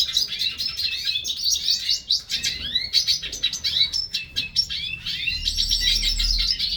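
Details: Several hooded siskins in a breeding aviary beginning to sing, giving quick bursts of sharp chirps and swooping whistled notes, then a steadier, denser trilling toward the end.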